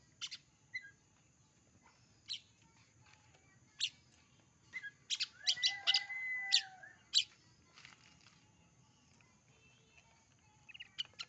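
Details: Oriental magpie-robin song of scattered high chirps and clicks, with a dense burst of chirps and a longer whistled phrase near the middle, over faint low background hum.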